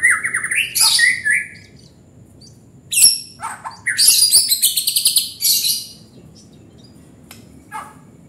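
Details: White-rumped shama in lively full song: bursts of whistled phrases and rapid buzzy trills, some low, some very high, separated by short pauses with sharp clicks.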